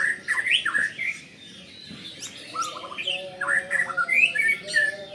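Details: Caged white-rumped shama agitated on seeing a rival, giving varied loud whistled and squawky phrases with rising and falling notes, a busy burst at the start and another near the end, with steady humming tones beneath.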